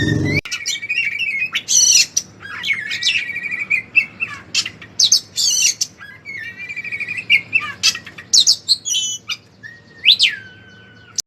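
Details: Oriental magpie-robin, locally kacer, performing ngeplong gacor ngobra song meant as training material for other birds: varied loud whistles, rising sweeps and harsh squawky notes in short separate phrases with brief gaps between them.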